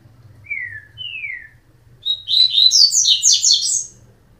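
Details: Double-collared seedeater (coleiro) song: two clear descending whistled notes, then a loud, rapid, high-pitched warbling and twittering phrase lasting about two seconds, with a faint low hum beneath.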